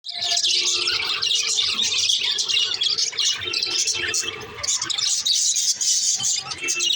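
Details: Male green lovebird chirps continuously, with dense, shrill, high twittering and squeaky notes running almost without pause, plus a few lower squawk-like sounds.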